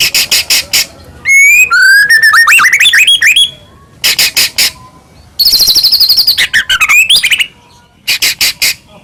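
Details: Long, loud white-rumped shama song: rattling harsh bursts, a stepped series of rising whistles, a dense high buzzing trill, then more rattles; played as a lure to make other shamas sing and become agitated.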